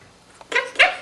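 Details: Male pet Quaker parrot rehearsing learned words and phrases: a faint tick, then two hissy, kiss-like syllables, the second louder and brighter.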